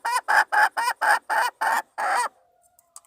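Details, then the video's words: Wild junglefowl hen luring the male, March 2020: seven loud, ringing clucks in quick succession, the last note drawn out longer, then quiet with faint clicks. "Poj qaib qus seev dib tuaj zoo heev"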